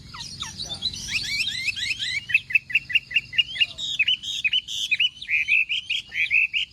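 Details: Chinese hwamei in morning contest-style singing, opening with fast jumbled high twitters, then a long series of loud repeated whistled notes, each a quick downward-then-upward slur, given about twice a second.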